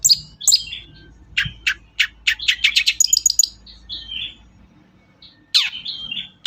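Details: Long-tailed shrike lure song to encourage shrikes to sing: varied chirps, a quick series of sharp chips building to high notes, a soft whistle, then a loud downslurred note and short whistles.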